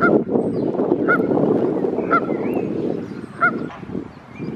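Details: Female Canada goose calling regularly to her goslings as a leashed dog approaches the family, head tossing; short nasal honks with upturned tails, three spaced notes, over a loud low rumble of background noise.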